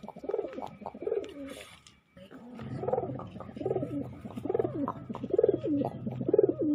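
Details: Pigeon giving ngabekur coos: a steady series of deep, throaty, rising-and-falling coos repeated roughly every 0.7 seconds after a short gap, loud and close, with little other sound.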